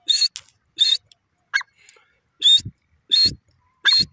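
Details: Teetar, a francolin, giving harsh, loud notes with a whistled tone inside, spaced irregularly about every 0.7 seconds, plus a few shorter lower chirps and soft low thumps between them.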